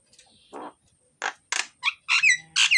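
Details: Loud, lively myna (jalak) song meant to stir quiet mynas into singing: scattered coarse squawking bursts spaced apart, followed by sharp rising whistles and a raspy closing note.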